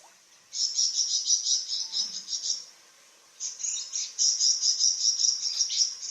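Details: Flamboyan, a songbird kept as a tutor for cucak ijo and magpie robin: very high, rapid trilled chatter in two long bouts separated by a short pause, each bout a fast stream of thin, sizzling notes.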